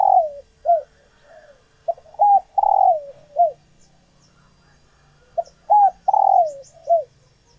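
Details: Female spotted dove near egg-laying, kept caged, whose cooing stirs males to coo back for pairing: two full phrases of deep, hollow coos, each a short note, a doubled note and a long falling coo.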